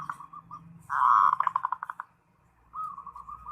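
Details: Zebra dove calling a rival. Soft cooing notes lead into a loud rolling trill of rapid coos. Another evenly spaced series of coos follows over a faint low background hum.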